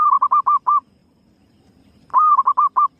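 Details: Calling female zebra dove, a lure sound meant to attract birds. Two mellow cooing bursts, each a drawn-out first note then a quick run of four or five short rounded notes, separated by a brief pause.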